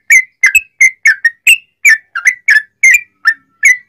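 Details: Whistled song of a sooty-headed bulbul, meant to spur other bulbuls to sing: short, sweet notes, some rising and some falling, delivered in a bouncy rhythm of about three per second.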